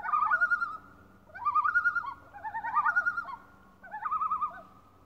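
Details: Tremulous, laughing warble of a common loon on Lake Beauvert near Jasper, Canada, in four loud quavering bursts with brief gaps, overlapping voices rising and falling together in a calm setting.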